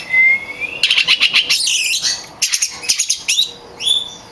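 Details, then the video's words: Champion oriental magpie-robin song for training kept birds: a clear rising whistle opens, followed by rapid rattling trills and scratchy notes, then upward-sweeping whistled phrases. "Suara burung kacer gacor juara untuk melatih mental kacer Anda"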